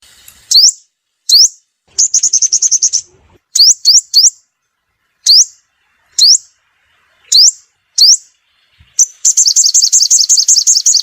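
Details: Sunbird lure call used to attract birds for trapping: sharp rising high-pitched notes spaced roughly a second apart, with bursts of rapid twittered trills in between and a fast buzzy trill at the end.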